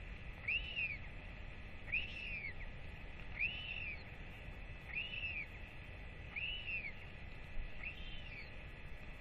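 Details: Hungry royal albatross chick wheeing with excitement as a parent arrives to feed it, 8.10.24; six evenly spaced dome-shaped whistles, rising and falling, about one and a half seconds apart over steady hiss.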